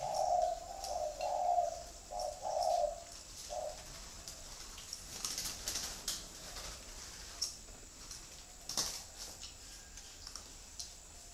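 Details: Spotted dove with a 'thổ' style voice, giving a few soft hollow coos in the opening seconds. Then comes a longer stretch of rustling, tapping and faint background noise without calls.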